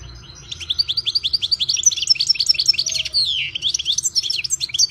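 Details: European goldfinch delivering a continuous, energetic song of rapid high twitters, tinkling pips and a brief descending buzzy slur, the notes tumbling quickly and almost without pause.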